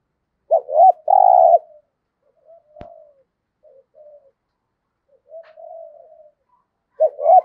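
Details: Spotted dove used as a decoy, singing 'giọng thổ': two short notes and a long low coo, a sharp click, scattered soft murmuring notes, then the phrase begins again.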